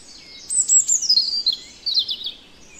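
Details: European robin singing in the Netherlands, a clear high warbling phrase of thin whistled notes sliding downward, a brief pause, then a second descending twittering flourish, with only faint background hiss.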